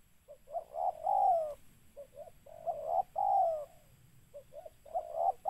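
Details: Spotted dove cooing as a trapping lure: three phrases of stuttered short notes ending in a sustained downward-sliding coo, about every two seconds, over low background noise.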